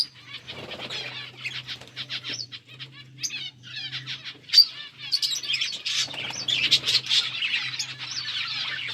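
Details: Feeding budgerigars keep up a busy, scratchy chatter of high chirps and warbles, with a brief lull midway, over a constant low hum.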